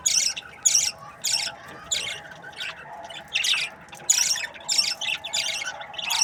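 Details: Budgerigars from breeding pairs give rapid, fairly regular bursts of harsh, high chattering chirps, about two every second, with a low background hum.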